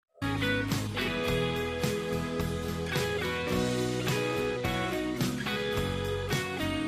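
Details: Plucked guitar music with a steady melody and chords, with no animal sound.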